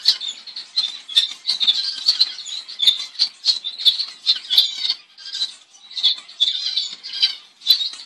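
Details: Double-barred finch, also called owl finch, a species of eastern and northern Australia, giving a dense stream of high, nasal, buzzy chattering notes that overlap almost without pause, with soft scratchy rustles.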